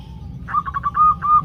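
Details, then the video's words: Female zebra doves among a group calling to males, used as a lure to make captive birds sing: a quick run of short, even whistled notes, the last two drawn out, over a low background rumble. "ombyokan perkutut betina memanggil jantan"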